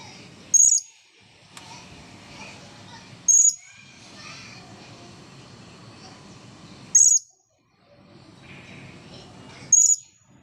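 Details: Blue-crowned hanging parrot, freshly dried after bathing, calling close to the camera: four short piercing high squeaks spaced about three seconds apart, separated by quiet stretches of faint background rustle and hum.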